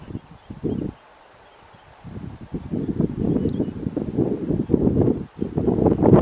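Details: Male black grouse displaying atop a Scots pine in strong cold wind at 07:15, early spring, 24 March 2023, Sallandse Heuvelrug heath, gives low, bubbling, cooing display phrases in uneven bursts, muffled with rustling wind.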